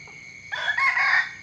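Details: A rooster crows in the morning, a short, loud, strained harmonic burst lasting under a second, over a continuous high-pitched background whine.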